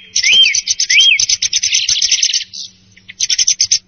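Song thrush singing a rapid, dense run of high chattering notes with two arched, rising-then-falling whistles, then a pause and a quick burst of repeated notes.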